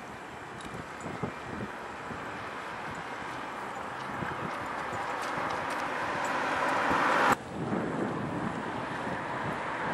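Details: Steady broadband rushing noise, like wind or surf, that grows slowly louder and then drops sharply, with scattered faint knocks and no clear animal voice.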